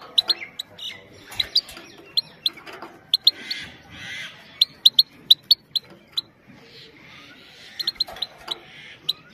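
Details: Short high chirping call notes from a female European goldfinch, meant for stimulating males and teaching young birds, delivered in quick pairs and triplets throughout with soft background noise.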